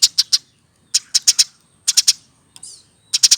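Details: Eurasian tree sparrow hand-raised from a chick, aged over a year, kept caged, giving short clusters of three or four crisp, high chirps at quick, even spacing, with brief silences between clusters and one faint scratchy note.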